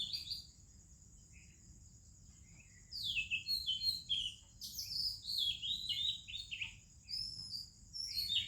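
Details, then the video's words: Oriental magpie-robin in Indian morning birdsong: a quiet start, then lively descending whistled phrases and chattering notes in two long bursts, with a persistent high insect-like tone. "ROBIN Chirping in the Morning"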